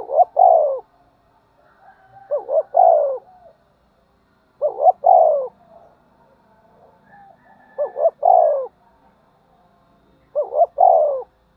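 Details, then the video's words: Spotted dove, excited to fight, gives five repeated phrases, each of two short notes and a longer, sinking coo, about every two and a half seconds, with faint soft murmurs between phrases. "cu gáy thúc đấu & gáy gọi"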